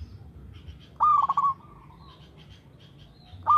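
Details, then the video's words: Local zebra dove singing regularly, a lure recording: one rolling cooed phrase that starts with a rising note, breaks into a fast trill and trails off, with a second phrase starting at the end over a low hum. "TERATUR PERKUTUT LOKAL GACOR SUARA TERATUR PANCINGAN TERBAIK"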